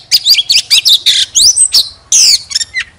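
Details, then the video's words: Oriental magpie-robin giving a short burst of scratchy warbles and whistled slurs, close, with a faint low hum in the background. "Chòe than hót xòe II chòe than mồi CỰC HAY"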